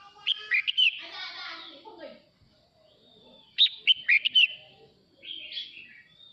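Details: Male red-whiskered bulbul singing to call the flock: short bursts of bright, rapid chirped notes in quick clusters, two lively phrases separated by a pause, then a softer warbled note, over faint low background rumble.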